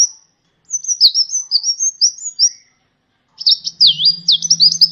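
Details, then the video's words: Sunbird song recorded for training birds: a thin high twittering run of quick up-and-down notes, a pause, then a louder wavering trill over a faint low hum. "masteran burung gacoan, Kolibri"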